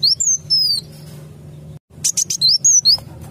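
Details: Kolibri wulung (sunbird) lure call played to draw in birds for trapping. Two high, thin, falling whistles, then a pause and a rapid cluster of sharp chirps and sliding notes.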